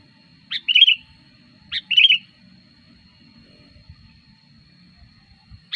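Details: Sooty-headed bulbul used as a lure for wild bulbuls and as a tutor: two bright bubbly phrases roughly a second apart, each a sharp upstroke then a short warble, and a third phrase starting at the end, over faint low rumbling.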